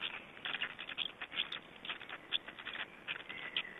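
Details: At an Estonian black stork nest during a feeding on 20 May 2012, rapid scratchy chattering comes in short clustered bursts, with a few sharp squeaky notes.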